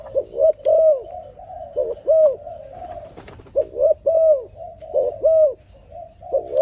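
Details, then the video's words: Singing dove giving repeated soft, hollow coo phrases, each built from two or three arched notes, steady low pitch, the phrases recurring about every second with little else audible. "លលកធ្នាក់នេះសម្លេងល្អណាស់ (លលកធ្នាក់)🥰 Amazing Dove Singing"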